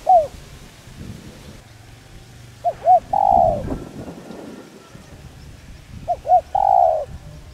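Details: Calling spotted dove, used to excite and train decoy birds. Two phrases about three seconds apart, each with two quick hollow coos before a long, level, mellow coo. Faint low rumble beneath.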